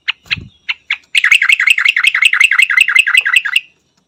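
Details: Yellow-vented bulbul from Thailand: a few separate bright notes, then a fast run of loud, sharp, bell-like chirps repeated about three per second, ringing like struck metal, ending in a fading trill.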